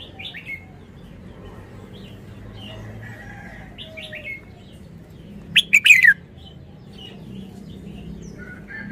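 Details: Red-whiskered bulbul with a forest-style song: soft scattered chirps and twitters for several seconds, then one loud burst of quick sharp notes sliding downward near the middle, followed by more faint twittering over a low hum.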